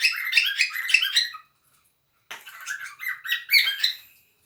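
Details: Cockatiels playing together indoors give harsh, stepped squawking calls in two bursts, rapid rising and falling notes for over a second, a pause, then another chattering series.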